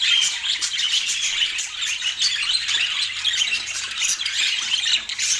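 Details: Pet budgerigar in Portland chattering continuously: dense, scratchy warbles and quick high chirps and squawks without pause, with a faint low hum underneath.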